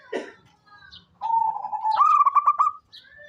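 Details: Local Indonesian zebra dove, a frequent caller kept to draw others into calling: after a short rough note, a smooth sustained coo breaks into a rapid stammering run of pulsed trills.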